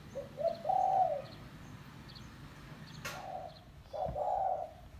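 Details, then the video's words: Village spotted dove giving the call used to lure doves for trapping: low, mellow, hoarse coos in drawn-out phrases, one early, two later, with faint high chirps of other birds and a sharp click between. "Suara Burung Tekukur Kampung - Suara Panggilan Pikat Terkukur"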